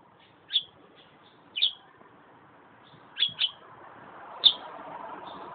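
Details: Pet bird singing contentedly while sunbathing: short, high, sharp chirps given singly or in quick pairs about a second apart, over a steady low background hum.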